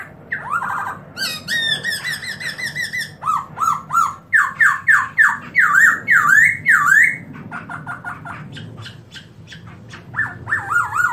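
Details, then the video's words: Open-tailed black-throated laughingthrush singing in 2017: slurred whistles and a buzzy trill, then a loud run of short swooping notes that rise and drop in quick succession, ending in softer repeated phrases. "Black-throated laughingthrush(Garrulax chinensis): Open-tail And Song Melodious Sound"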